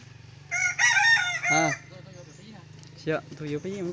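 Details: Large decoy red junglefowl, described as crowing well and very loudly, recorded 27 October 2020: a harmonic, strained crow with a level first part and then a short falling tail. A steady low hum runs underneath, and later notes sound fainter.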